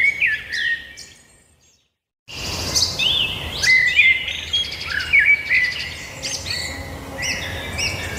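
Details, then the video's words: Several birds singing outdoors: bright chirps, whistled slurred notes and rapid trills overlap densely, with a brief silent gap near the start before the chorus resumes strongly. "birds singing"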